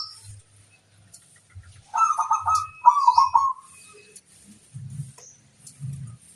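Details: Local zebra dove lure song with two close, fast, pulsing coo phrases in the middle, framed by soft, low, muffled thumps before and after.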